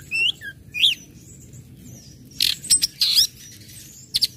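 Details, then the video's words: Orange-headed thrush song in ngecip, ngecit and ngeplong styles, used as a lure to make other birds sing: a few clear slurred whistles, then loud buzzy high chips in short bursts, over a quiet background hum. "SUARA ANIS MERAH NGECIP NGECIT NGEPLONG PEMANCING BIRAHI AGAR IKUT BUNYI"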